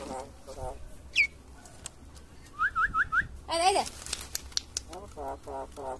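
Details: Talking common myna (shalik pakhi) gives a mix of sounds: short nasal bursts, a sharp rising whistle, four quick upward-hooked whistles, then a loud, warbling voice-like call and more nasal chatter.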